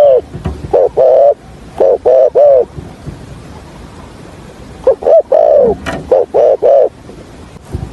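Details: Spotted dove decoy bird for trapping, hạp bổi voice: a burst of clipped low coos, a quiet gap of about two seconds, then another stuttering series with one longer note.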